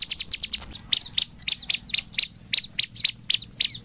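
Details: High, rapid chip song of a Bar-winged prinia intended to provoke responses from other prinias: a quick opening flurry, then evenly spaced piercing chips about four per second.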